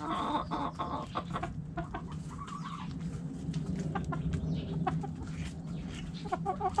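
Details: Backyard coop hens with soft scattered clucks and short calls, partly buried under a strong low hum and rustling.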